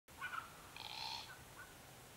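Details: South-eastern Glossy Black-Cockatoos (Calyptorhynchus lathami lathami) in a favoured foraging zone on the Kings Tableland, Blue Mountains, NSW, Australia, March–October 2022. A few short, wheezy, creaky calls with a rasping quality, rising and falling over two seconds, against a faint background hiss.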